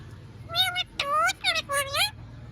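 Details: Ring-necked parakeet talking clearly: a short run of human-like spoken syllables in a clear, whistly, strongly tonal voice, four or five connected sounds within two seconds, with a low hum underneath.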